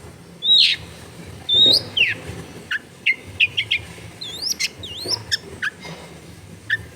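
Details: Long-tailed shrike lure song taped at home in a densely populated area: two loud harsh buzzy notes, then a run of quick clipped chirps and looping upslurred whistles at an uneven pace, with faint low household rumble.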